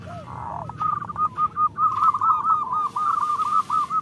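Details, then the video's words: Zebra dove of local stock singing a long, running series of rolling coo notes at a quick, steady pace, with a few lower, softer sliding calls at the start. "Perkutut lokal gacor Pancingan Jitu 💯% Ampuh"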